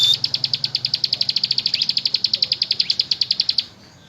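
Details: Ciblek gunung, the bar-winged prinia, delivering its energetic 'ngebren' song: a steady machine-gun run of high, clipped notes for over three seconds, then stopping abruptly, with a faint low hum behind.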